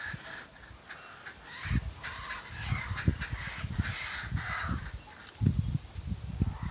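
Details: Young backyard laughing kookaburras learning to laugh give harsh, croaky, broken bursts, rough early attempts at the laughing chorus, over steady low wind rumble.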